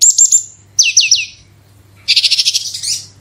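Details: Branjangan (Horsfield's bush lark) 'super roll tembak' lure song: three quick high notes, three steeply falling whistles, then a dense buzzy rattling trill of about a second.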